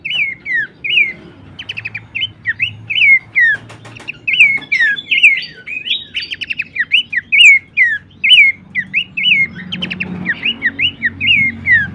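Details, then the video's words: Horsfield's babbler, recorded to tutor and lure songbirds: a busy stream of short slurred whistles sliding downward, mixed with quick dry trills, notes tumbling about four per second, faint low hum underneath. "masteran dan pancingan bunyi khas burung pelanduk semak"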